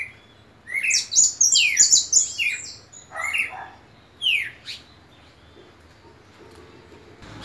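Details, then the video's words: Red siskin singing indoors: a burst of quick high twittering notes and sweeping slurred chirps, then two shorter descending phrases before falling silent. "carde rojo cantando"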